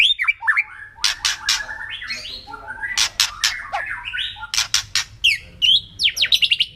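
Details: Kretekan song of a white-rumped shama, played to provoke rival birds: varied slurred whistles broken by loud harsh rasping bursts, ending in quick descending whistled phrases over a low background hum.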